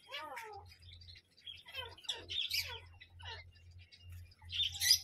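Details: Parrot calls: falling, nasal, harmonic-rich notes repeated irregularly, followed by rougher screechy bursts and a loud harsh squawk at the end, over a faint low electrical-sounding hum.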